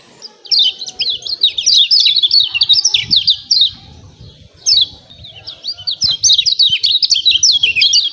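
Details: Dense, high-pitched chattering twitter from a lemon-bellied white-eye in several long bursts, used as a recording to set birds singing.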